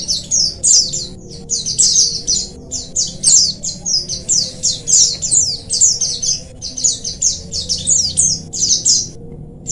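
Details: Oriental white-eye colony sound for stimulating lazy birds: a continuous stream of high, thin chirps and twitters in quick overlapping clusters, nearly unbroken over ten seconds, with a faint low droning hum.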